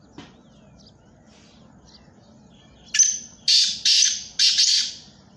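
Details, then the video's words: Black francolin among three calling birds, quiet at first with faint chirps, then a loud harsh phrase of four grating, scratchy bursts, the final one trailing off. "3 Black Teetar Speaking in Action: Amazing Bird Calls"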